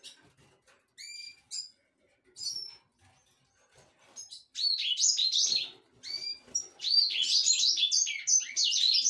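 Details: A Black-throated canary (Crithagra atrogularis somereni) opens with a few clear, separated whistled notes, then breaks into a fast, continuous, high-pitched twittering warble.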